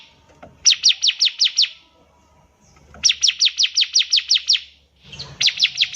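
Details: Bar-winged prinia in lively song, used as a tutor recording for young birds: three bursts of six to eight rapid, high, sharp chirps, each burst under a second long, separated by short pauses.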